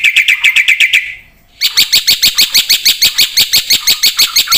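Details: Black-winged myna singing vigorously: a quick series of ringing notes, a brief silence, then a longer run of sharp, harsh, evenly spaced notes.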